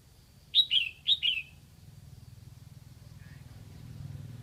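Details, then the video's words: Decoy red-whiskered bulbul from Lạng Sơn, Vietnam, calling to attract wild birds: a quick burst of four clear whistled notes in two pairs, then a low droning hum rising in the background. "Mào mồi gáy kiểu này liệu có gọi được bổi không đây?"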